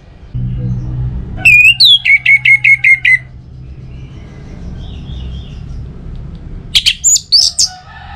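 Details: Orange-headed thrush song, played to make other birds sing, northern Bali: a rising whistle followed by a steady series of evenly spaced clipped notes, a pause, then a short high scratchy phrase.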